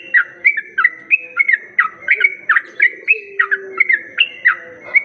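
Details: Lure recording of a sooty-headed bulbul meant to draw in other bulbuls. Quick clipped whistled notes, each with a sharp drop, come in a steady rapid series of about three per second, over faint low hooting notes.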